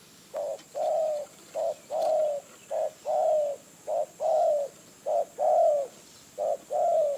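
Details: Wild spotted dove drawn to a decoy in Phrae, Thailand: clear repeated low coos, short notes alternating with longer drawn-out ones in a steady rhythm of nearly one per second, background quiet.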